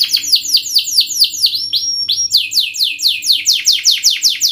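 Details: Lively canary performing rapid 'speed' song meant to teach young canaries to roll quickly: repeated downward-sweeping whistled notes, a short steady whistle midway, then the quick sweeps resume.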